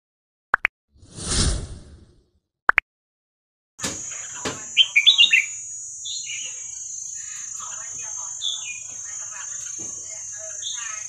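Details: Red-whiskered bulbul singing the song style locally called 'hua krok khayao khuat', played to teach young birds; after brief knocks and a rustle, short warbled whistled phrases of quick rising and falling notes, over a steady high electronic-sounding whine.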